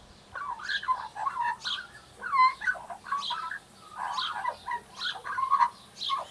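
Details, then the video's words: Juvenile Australian magpie rehearsing its song in bursts of mellow, gurgling warbles broken by brief pauses, mixing bubbly phrases with a few clear whistled notes. "Baby Magpie Warming Up"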